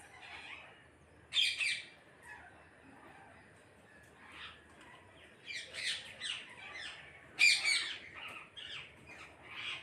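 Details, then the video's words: A flock of parrots calling together: harsh, scratchy squawks in scattered bursts, a loud one near the start and a dense cluster toward the end, with quieter chatter between. "கூட்டமாக கிளிகள் சத்தமிடுகிறது"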